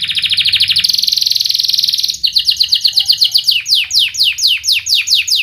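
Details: Dense, sharp canary singing used as a lure for young learner canaries. A steady, rapid rolling trill breaks into a series of loud, descending whistled chirps repeated several times a second.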